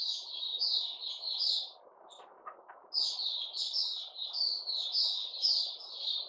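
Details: Sooty-headed bulbul in a cage singing fast, bubbling warbled phrases, pausing briefly midway before resuming the rapid slurred chatter over a low background hum.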